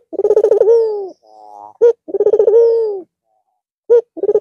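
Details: White, red-eyed Barbary dove cooing again after a long rest over the Eid al-Fitr holiday: a short clipped note, then a fast bubbling run of about eight pulses sliding into a long, drawn-out falling coo, repeated twice.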